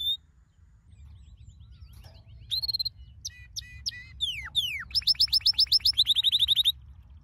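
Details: Canary singing a training song: sparse high whistled notes, then clustered chirps and sweeping slurs building into a fast run of repeated upslurred notes near the end.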